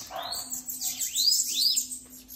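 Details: A bananaquit taken out on the street gives a thin, high, hissing song of quick upward sweeps and wheezy trills, delivered in a rapid burst, with a low steady hum underneath.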